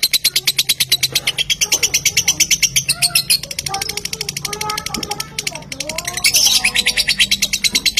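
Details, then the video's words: Lure song of a lovebird, used to set other lovebirds singing: rapid high chirping chatter, interrupted midway by softer whistled notes and short slurred calls, then resuming loud and fast. "Langsung Lovebird Anda Ikutan Narik Bila Mendengar Suara Pancingan Ini"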